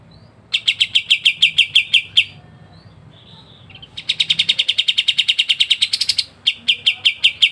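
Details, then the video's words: Dense ngebren song of the kapas tembak, a masteran bird: a run of rapid chips, a quiet gap with soft faint notes, then a very fast buzzy rattle, a short break and more clipped notes. "KAPAS TEMBAK GACOR NGEBREN RAPAT"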